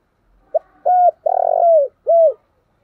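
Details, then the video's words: Thổ-style spotted dove coo phrase in a clean setting: a brief clipped note, then a hollow rounded coo, a long buzzy throbbing coo that slides down at the end, and a final falling coo. "Cu gáy giọng thổ/ chuẩn thúc và gáy gọi"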